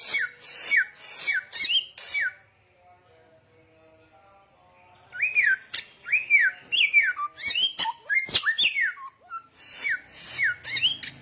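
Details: Samyong singing loudly in bursts: quick falling whistles with raspy noise, a quiet pause of about three seconds, then a dense stretch of looping whistled slurs and sharp notes, ending with more descending phrases.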